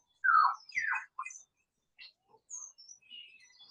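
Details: Lyrebird in misty, foggy morning bushland in Australia, giving a weird gurgling, squelchy call broken into rapid varied notes, some low and rich, others thin and high, in quick succession.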